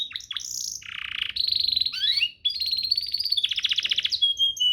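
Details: Training song for canaries: quick varied whistles, a low buzzy roll, a rising slur and a pulsing trill, ending in thin high whistles.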